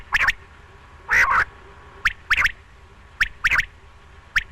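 A quail gives sharp, liquid notes in quick clusters of two or three, repeated about once a second, over a faint background hiss.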